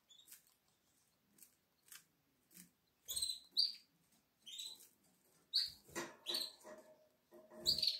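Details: Nestling Atlantic canaries, seven days old, 12 April 2022: soft faint ticks at first, then a run of short, high, squeaky chirps in quick uneven bursts, mixed with rustling.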